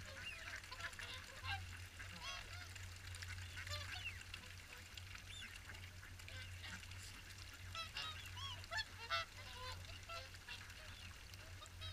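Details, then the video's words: Distant, softer chorus of swans at the WWT Caerlaverock morning feed, with rapid irregular overlapping honks and nasal calls continuing throughout over a faint low hum. "Morning Swan Feed"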